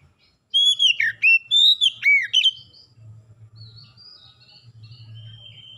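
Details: Oriental magpie-robin in full lure song to get other birds singing: a rapid run of about seven loud, swooping, overtone-rich whistles lasting two seconds, then quieter high twittering from other birds over a low hum.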